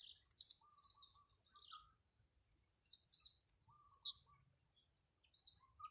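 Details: Blue-crowned hanging parrot, recorded while luring the species, giving clusters of rapid, very high, buzzy twittering chirps separated by short pauses.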